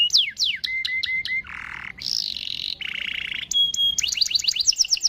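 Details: Lure song of a canary, 'cuit cuit' long-rolling style meant to make other canaries join in: falling whistled sweeps, a harsh buzzy burst, a shrill rattle, then a level tone and a quick high trill.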